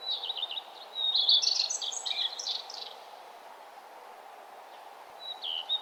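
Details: Birds singing along a nature trail as the sun rises in the morning: high, twittering warbled phrases build over the first three seconds, then quieten before a brief bright phrase near the end, over a steady low background hum.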